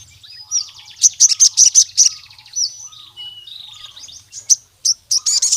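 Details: Energetic wild crimson sunbird calling a rival male: a quick series of loud, high metallic ticks, a thin sliding whistle, then irregular sharp high notes. Quiet lower whistles sound in the background.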